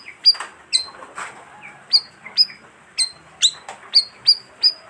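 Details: Bayeman bird lure call; high, sharp, slightly falling tweets repeated about twice a second, some doubled, with faint softer notes behind.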